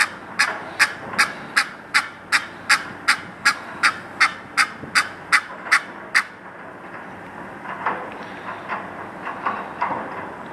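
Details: Egyptian goose at the Virginia Zoo calling repeatedly, a fast series of about fifteen sharp, evenly spaced honking notes over six seconds, then softer, lower calls trailing off.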